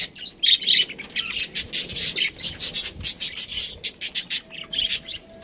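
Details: Pet budgerigar chirping: a rapid run of bright, scratchy, high-pitched chirps and squawky notes, closely spaced throughout, with brief gaps and a steady chattering rhythm; no other clear sounds.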